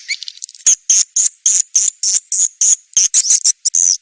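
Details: Calling sound for attracting swiftlets to nest houses, SP. KADITA style: a soft rising chirp, then loud high buzzy chirps in quick uneven succession, roughly three a second.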